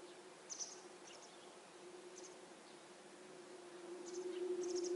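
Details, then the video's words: Young masked wagtails out of the nest demand food from their mother with high, thin chirps. Brief bursts of squeaky notes come about every second over a steady low drone. "Трясогузка кормит птенцов"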